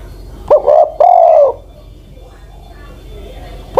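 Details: Ten-plus-year-old decoy Spotted Dove delivering one mellow phrase, short notes then an extended falling coo, followed by quiet background hiss and the start of another note.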